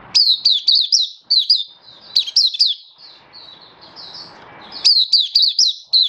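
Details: Oriental white-eye, a hobby songbird recorded 24 February 2023, in open happy song: sharp high twittering notes in quick series, a softer thin warble over a faint low hiss midway, then bright chirping resumes.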